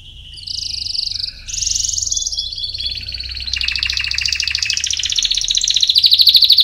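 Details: Domestic canary singing a training song for chicks: high trilled tours, first a steady buzzy trill, then a higher rolling phrase, then fast rattling rolls that grow louder toward the end, with a faint low hum underneath.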